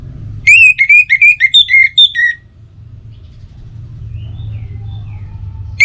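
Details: Orange-headed thrush singing a fast string of bright whistled notes that waver up and down for about two seconds, followed by quiet with a steady low hum. Used as a lure for morning and evening singing.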